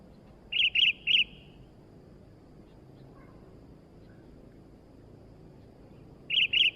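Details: Sooty-headed bulbul, a new bird singing vigorously, gives a quick trio of clear whistled notes, a long quiet pause, then a pair of matching notes; soft background noise throughout.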